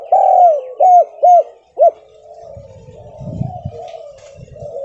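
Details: Javanese spotted dove lure call in stuttering kuk style, used to get other doves to call: one long rolling coo, then three short hooted notes, followed by quiet low rumbling.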